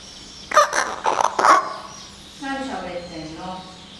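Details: Common hill myna at home in May 2015, trying hard to talk to its owner; a quick run of three loud rasping bursts is followed by softer, wavering voiced speech-like syllables.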